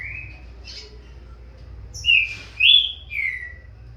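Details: Captive-bred juvenile Green-winged Saltator, a Corvo x Fogueira cross, singing in a song duel against its father: a thin whistle, then three loud, clear whistled phrases, each falling in pitch, above faint background hum.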